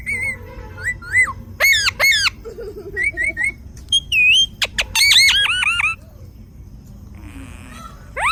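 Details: Parrot in a zoo in south India giving a lively series of harsh squawks and sharp chirps, some in quick runs of arched notes, with a brief noisy rasp near the end.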